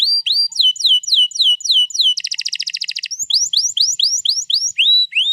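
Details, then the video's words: Canary song recorded 21 April 2022, a long rolling song used to lure another canary into singing: clear upswept whistled notes repeated quickly, broken in the middle by a dense buzzy trill of about a second, then rising whistles again. "pancing burung kenari jadi ikut bunyi GACOR Ngerol Panjang"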